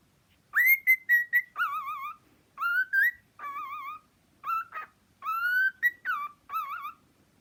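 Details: Cockatiel whistling a varied tune: clear level notes alternating with lower wavering, trilled whistles and upswept slides, grouped into short phrases separated by brief pauses, over a faint quiet background.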